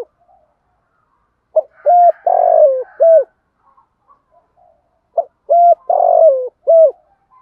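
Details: Decoy calling of male and female spotted doves, 'thúc gù' style meant to lure birds: two matching phrases a few seconds apart, each a clipped note, two short coos, a long falling coo and a final short coo, low and hollow.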